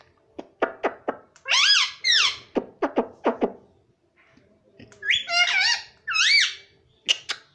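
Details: Young pet ringneck parakeet talking, said to say mummy: rapid clicks alternate with loud, wavering, arched screechy phrases, a pause, then more rising-falling squawked syllables and a closing chirp.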